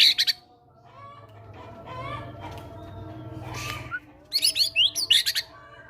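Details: Caged fighter White-rumped shama with gelatik batu material in its song: a short high burst, several seconds of murmuring background noise, then a fuller run of sharp high whistles and chattering notes.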